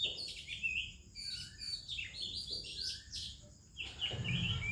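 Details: An Oriental magpie-robin sings melodiously in the morning with other birds: dense, varied whistles, warbles and chirps in quick succession. A low rumble enters near the end.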